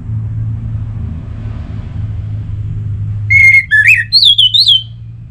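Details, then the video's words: Orange-headed thrush singing as a lure to make caged thrushes sing, Bali: a level whistle, a lower rising slur, then looping higher whistled notes in quick succession, above a steady low drone. "Anis Merah Gacorr Untuk Pancinggan Burung Punglor Jadi NGeplong Bahkan Teler Kalau Jantan"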